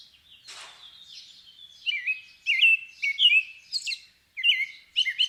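A robin sings short, high, varied phrases of thin, tinkling, sliding whistles, each phrase quickly followed by the next. A brief rustling noise comes near the start.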